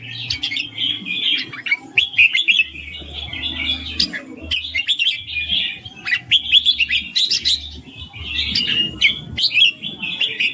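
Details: Red-whiskered bulbul giving clear, sweet ring-style song: repeated bursts of lively whistled chirps separated by short gaps, phrases recurring every second or two, with faint low humming in the background.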